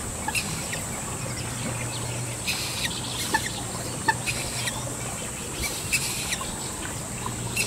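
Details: A parent Common Moorhen with two well-grown young, both chicks calling often for the parent as they stray from home: short sharp peeps repeated every half second or so, over a steady high insect drone.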